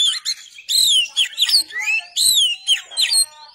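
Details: Oriental magpie-robin (kacer) song used as masteran tutor material: loud, rich whistled phrases sliding down then up, interleaved with buzzy notes and quick chirps in bursts roughly every half second.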